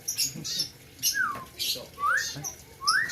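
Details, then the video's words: White-rumped shama from Aceh's Gayo highlands at a 2021 bird contest giving three slurred whistles, the first falling and the next two rising, spaced under a second apart, over hissy high background noise. "ALUNAN MERDU MURAI BATU"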